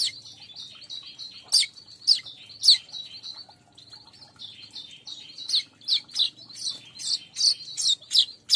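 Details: Lure song for weavers intended for a group of weaver birds: continuous high, dry chattering with sharp, loud chip notes standing out roughly every half second to second, more regular toward the end.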